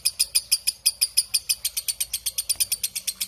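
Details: A lovebird in long ngekek chatter with a clear voice: shrill, grating notes repeated rhythmically, starting spaced and becoming slightly quicker and denser after two seconds.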